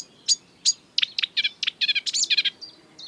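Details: Exuberant marsh warbler song in the breeding season, borrowing from European and African birds. Two sharp high notes open into a quick jumble of buzzy, rasping and chirping phrases. Thin whistles close it.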